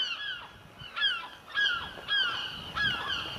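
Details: A gull over a rooftop calls in loud, harsh, downslurred cries at regular intervals of about half a second to a second.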